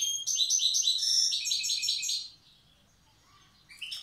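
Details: Wild goldfinch of Tiaret singing old-style: two seconds of fast, evenly repeated metallic trilling notes, a quiet gap, then a brief high twitter.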